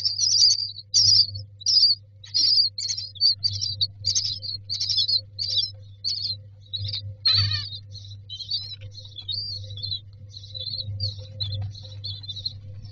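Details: Nestling mynas begging for food inside a nest box, a series of short, high, raspy chirps in bursts roughly once a second, one sharper rising note midway, a low electrical hum underneath.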